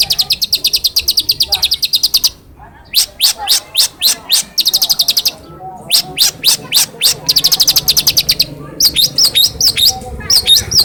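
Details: Hand-raised long-tailed shrike kept in a cage in Cilacap, a skilled mimic of other birds, delivering rapid high buzzy trills alternating with strings of sharp separate chips and short pauses.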